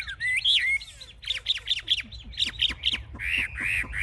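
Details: Caged Chinese hwamei displaying, wings up and tail spread, described as a fierce fighter: a looping whistle, then a run of about eight quick repeated clipped notes, ending in two rough drawn-out notes.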